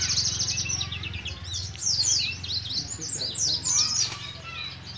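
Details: Oriental white-eye from Moga, Pemalang, Central Java, a young bird learning ngalas ngeroll song, gives high rapid twittering and sweeping slurred notes over a prominent low humming background noise.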